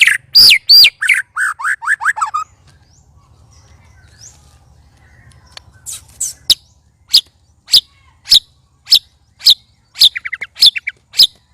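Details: White-rumped shama during a three-bird sparring session, loud and strange: a burst of rapid slurred notes and short rising whistles, a quiet gap, then sharp dry clicks spaced about every half second with a brief trill near the end.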